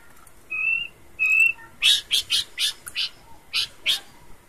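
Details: Horsfield's babbler in lively characteristic song: two steady, clear whistled notes, then a fast run of about seven sharp, clipped chips.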